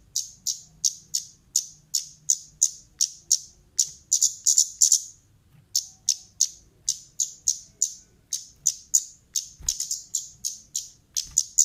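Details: A female orange-headed thrush call played to lure birds: a steady stream of very high, sharp ticking notes, about three per second, briefly bunching into fast clusters, with faint low background rumble.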